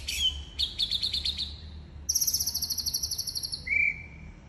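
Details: White-rumped shama competition-style song, clear and easy for birds to imitate: quick scratchy notes, a long, very fast, high trill, then a level whistle, over a low rumbling background.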